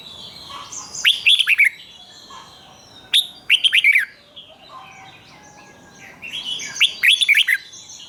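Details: Repeated doubled song of a caged red-whiskered bulbul, meant for young birds to copy: three lively phrases of fast, looping whistled notes about two seconds apart, with quieter twittering and thin whistles of other birds behind.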